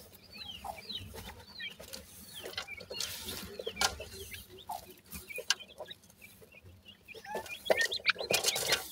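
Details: Grey francolin chicks, known locally as desi teetar, feeding at the nest; short, thin, upward-flicking peeps repeated rapidly and irregularly, mixed with bursts of rustling and scratching noise.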